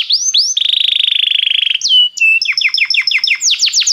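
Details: Belgian canary in song, used to warm up canaries: two upswept notes, a long fast buzzy trill, then a slurred whistle and a quick series of descending chirps.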